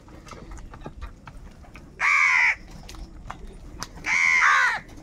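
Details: Crows calling for food: two loud, harsh, drawn-out caws about two seconds apart, each a grating half-second cry, over quiet background chatter.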